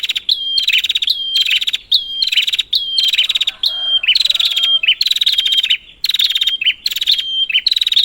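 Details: Prinia call sequence meant to stimulate a quiet prinia: around nine evenly spaced bursts of shrill, rattling chatter, each with a pure whistled note, and faint background noise in one gap.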